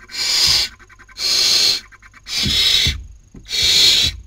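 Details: Barn owl owlets at a nest in Cabañeros National Park, Spain, 2019 breeding season, fighting over a meal. Four loud, harsh, snore-like hisses come about once a second, with scrabbling thuds between them.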